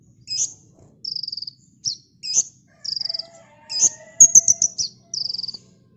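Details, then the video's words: Sunbird (kolibri ninja) singing hard in tight bursts, a master recording for training cage birds: high piercing whistles alternate with fast buzzy trills, short phrases repeated about every half second, with a faint lower whistle and light clicks beneath. "Burung Kolibri NinJa Gacor T3mbakan Rapet l Untuk Masteran"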